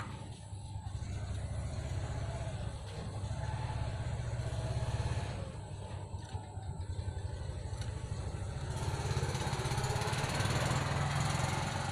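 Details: Steady motorcycle engine rumble and traffic noise with faint voices, and no animal sound heard.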